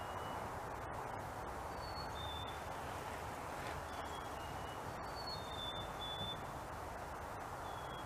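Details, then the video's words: Faint black-capped chickadee fee-bee songs passed back and forth: soft pure whistles, each pair stepping down slightly in pitch, repeated several times against a broad hiss of background noise. "Chickadee Singing fee-bee/cheeseburger Call"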